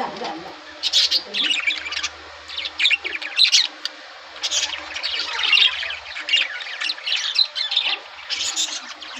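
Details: Budgerigars in breeding season, hens laying eggs, chatter continuously with sharp high chirps and short squawks over a steady background hiss, several birds calling at once.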